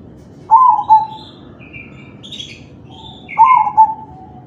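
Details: Crossbred zebra dove (perkutut crossing, kalung tempuk type) singing (manggung), played to prompt other doves to sing; two cooing phrases about three seconds apart, each a bright opening note then stuttering lower coos, with faint high chirps from other birds.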